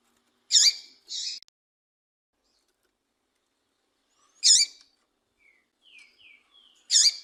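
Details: Calls of a female double-collared seedeater, meant to excite a male into song: sharp high chirps spaced several seconds apart, one pair with a buzzy second note, and faint soft twitters before the last chirp.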